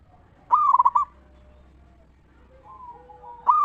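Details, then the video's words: Zebra dove, a local bird, singing in the ngeristal style as a lure for other zebra doves. One loud, quavering coo phrase, then quieter drawn-out coos, and another phrase beginning at the end. "Perkutut Lokal Gacor RAJA PIKAT Suara Ngeristal Paling Ampuh Bikin Semua Perkutut Nyaut Gacor"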